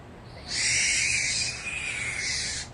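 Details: A very young orphaned fledgling barn owl being fed in wildlife care in the San Francisco Bay area gives a long, harsh, breathy hiss-screech with a brief dip midway, a noise typical of barn owls in care.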